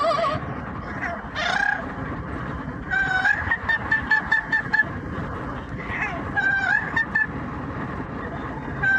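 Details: Pet yellow-naped amazon parrot singing opera-style and making noise during a car commute: loud warbling, wavering notes and a run of repeated short whistled tones near the end, over a steady low road and engine rumble.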